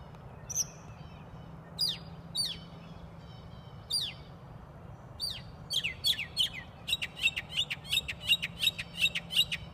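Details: A bird chirps at a house retreat: sharp, descending high chirps, first spaced a second or more apart, then quickening into a fast, steady run of repeated notes about three per second toward the end; quiet low hum beneath.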